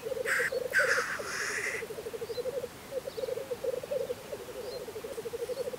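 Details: Wild black grouse at a spring lek in Russia: steady low bubbling, cooing rolls run through the whole stretch, with hoarse hissing sneezes bursting out in the first two seconds.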